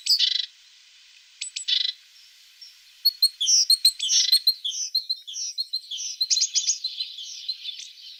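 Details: Tit singing: a few sharp buzzy bursts with pauses between, then a run of quick high chirps and twitters that grows busier and more continuous toward the end.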